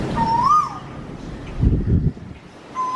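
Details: A koel, in what is called burping, gives a clear whistled note that swells upward, then a second begins at the end; low rumbling thumps fill the gap between.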